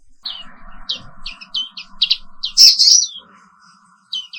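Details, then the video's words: Black-capped white-eye, the Indonesian Papua pleci 'wiklus', giving spaced high chirps and one louder, harsher burst, over a steady low electrical hum. "Suara Terapi Pagi Pleci Papua Wiklus | Auto Aktif & Ngerol Terus"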